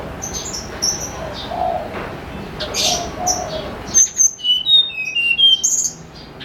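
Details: Morning song of a snowy-browed flycatcher, recorded as a lure: after about four seconds of noisy background with a low dove-like coo, a clear series of high, thin whistles falls step by step, repeated twice.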